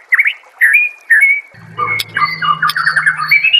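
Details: Murai batu masteran, a white-rumped shama: a few loud whistled upslurs, then a level note and a busy run of chattering, warbled notes over a low hum.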